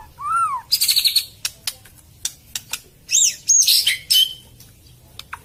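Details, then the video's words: White-rumped shama lure song: a downslurred whistle, then harsh buzzy chattering bursts, sharp clicks, and sweeping high whistled notes that rise and fall, delivered in an irregular, varied sequence. "SUARA BURUNG MURAI PIKAT 2022"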